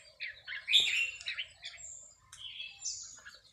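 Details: Red-whiskered bulbul at a relaxed cage-bird practice session, delivering a quick run of bright chirps and a high thin whistle, fairly quiet, with a faint low hum behind.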